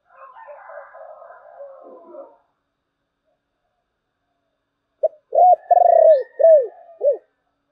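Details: Muffled indistinct sounds, then after a pause a spotted dove delivers one thổ bầu-style phrase: a short note, a long pulsed, burring coo, and two arched, downward-sliding coos.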